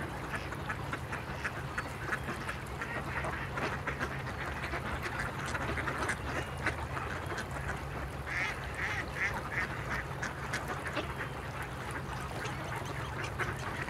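A group of mallards gives a steady stream of overlapping nasal quacks and low chatter, with a constant low hum in the background.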